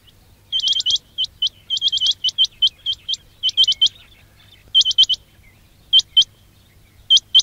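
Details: Quail calling used as a trapping lure: bright, high, upward-flicking chirps in clustered bursts of two to four, separated by short gaps, with faint low hum beneath.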